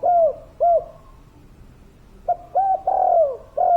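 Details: Spotted dove of the local kuk 3 type: two gentle coos, about a second and a half of quiet, then a phrase of four coos with a long descending slur near its end.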